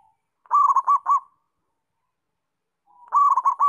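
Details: Local zebra dove in full song, giving two rolling cooing phrases separated by a pause of nearly two seconds. Each phrase is a quick run of bubbling, warbled coos with a soft trailing tail.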